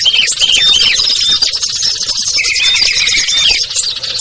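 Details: Lure recording of small birds such as ciblek, kutilang, trucuk, sogon and perenjak, meant to draw reluctant birds down; a dense, continuous mass of shrill overlapping chirps and short whistled notes, several birds calling at once.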